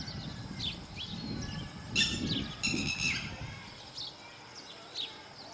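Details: Guarding its chicks, a lapwing utters two loud, rasping, harmonic bursts close together, with fainter thin calls scattered before and after against low rumbling background noise.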